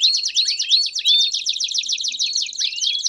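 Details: Singing canary, campainha style with piados, recorded to teach young canaries; bright rising whistled notes at first, then a continuous rapid, buzzy trill with one final upswept note.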